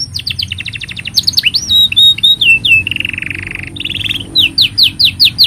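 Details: Canary delivering a long master song for young and silent canaries: rapid repeated chirps, looping whistled glides, a harsh buzzy roll, then quick repeated upswept notes, with a steady low background hum.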